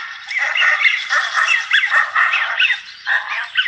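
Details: American Wigeon flock giving a steady stream of squeaky, rubber-duck whistles from males, many overlapping and rising and falling, with a few rougher notes mixed in.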